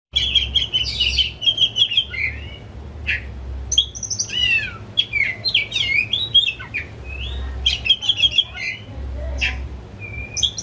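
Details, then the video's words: Oriental magpie-robin, a caged household pet kept as a hobby and fed crickets, singing agitated with tail spread. Rich, varied phrases of high whistles, sweeping slurs and buzzy notes pour out almost without pause, with a low steady hum underneath. "Kicau Kacer Rumahan Emosi Buka Ekor Ngeplong Terus"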